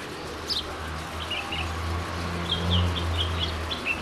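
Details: Female house sparrow at Valparai making a string of quick high chirps and twittering notes over a steady low hum.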